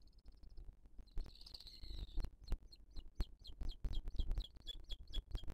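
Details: At a booted eagle nest in 2023, the female feeding her chick before a live nest camera: a brief buzzy trill, then a steady run of short, sharp, downslurred high calls about three per second over low knocking noise.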